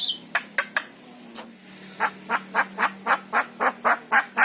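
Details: Javan myna with yellow eyes opening with a few high squeaks, then repeating a harsh, nasal note about four times a second in a steady series, played to encourage a pet myna to sing.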